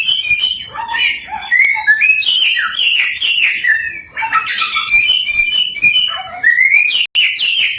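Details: Samyong, a tireless singer with a varied song, used as a lure to provoke other samyong birds into singing: dense, continuous warbling of whistled, slurred notes rising and falling, with quick chattering phrases and no pauses.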